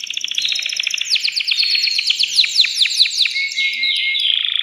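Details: Caged male canary in an excited state, singing to stimulate a female for breeding and to train chicks; a dense rolling trill of quick repeated sweeps, then a sustained high whistle and buzzy finish.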